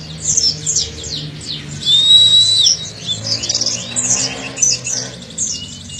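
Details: Training audio of Oriental white-eye (pleci dakun) to spur young birds into song: quick high chirps, a long steady rising whistle at about two seconds, then more busy twittering and brief whistled notes.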